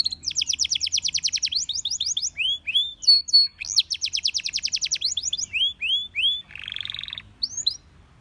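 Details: A Belgian canary, whose song set many other canaries singing, sings fast, bright trills of rapidly repeated high notes, broken by slurred rising whistles and a dry buzzy rattle near the end.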